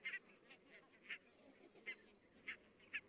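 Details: Barnacle geese calling in large numbers far away in Estonia, October 22, 2017; clipped, nasal yelps stand out roughly once a second, some doubled, against a soft background of more distant goose voices.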